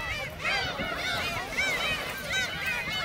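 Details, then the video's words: Shrimp-cracker-fed gulls at Seonjaedo produce a bright, busy mix of high arched calls from several birds, continuous and overlapping, with a faint low hum beneath. "선재도 갈매기 새우깡"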